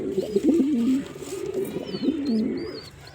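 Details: Low warbling coos from a male pigeon, two wavering phrases a second apart, with thin high bird chirps faintly behind.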